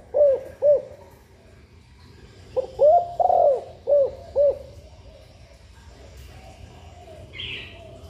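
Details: Female spotted dove calling to stimulate breeding: two separated coos, then a phrase of five rounded notes with a long swelling centre note, followed by quiet with a faint higher sound near the end.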